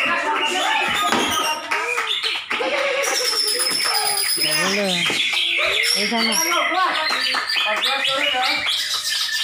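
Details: Greater green leafbirds at a songbird contest (greater green leafbird class) in Malinau, North Kalimantan, pour out a dense, rapid stream of varied whistles, chirps and slurred warbles, several voices overlapping, while people talk in the background.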